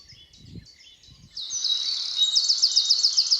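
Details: In a forest at Beder, Aarhus, Denmark, near Moesgaard Museum, a bird gives high, thin chirps, then a rapid trilling run of sharp repeated notes, about four per second, over faint background noise and a few low thumps.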